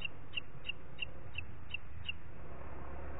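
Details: At 09:06 on 27 June 2021 in Parc Natural dels Ports, a booted eagle gives seven sharp, high notes, about three per second, each short and clipped, against a quiet low hum.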